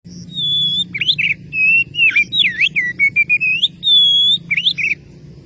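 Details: Oriental magpie-robin calling a rival: clear whistled phrases around mid-high pitch, a steady note, then quick V-shaped swoops and short repeated notes, ending in a long level whistle and brief twisting notes; low background hum.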